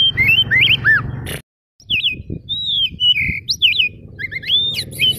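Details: Oriental magpie-robin (kacer daput) in full song used as a lure for other kacer: loud sweeping whistles, looping slurred notes and sharp chips in quick bursts, with a low mechanical hum beneath.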